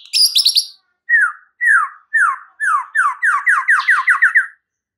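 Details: White-rumped shama singing as a lure to stir up other shamas: a brief high trill, then a series of clear downslurred whistles that repeat ever faster until they run together.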